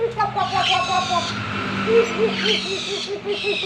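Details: Papuan butcherbird, tame and in full song, repeating soft low fluty notes in a rapid bubbling series, partly overlaid by higher hissing and chattery background sounds.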